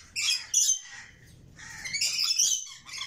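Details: Red lory chicks producing two loud, grating, high-pitched squawk bursts, the first short and sharp, the second longer and drawn out, with a faint low background murmur.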